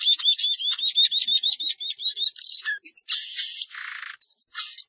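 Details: Samyong garugiwa singing a rapid, unbroken stream of chattering, warbled notes that repeat in quick runs, broken near the end by a hissing burst and a looping whistle.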